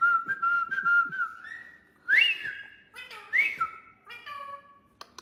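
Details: A talking parrot gives a run of clear whistled tones, level then sliding upward, followed by harsher broken syllables and a lower steady note, all in short bursts with brief pauses between.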